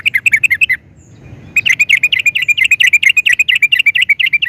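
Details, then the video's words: Sooty-headed bulbul in lively song, used to prompt other bulbuls to answer: a quick chirping phrase, a short pause, then a long steady stream of rapid, bubbly, slurred notes. "Kicau Suara Trucukan Gacor Ini, Pandai Buat Pancingan Trucuk Agar Jadi Gacor"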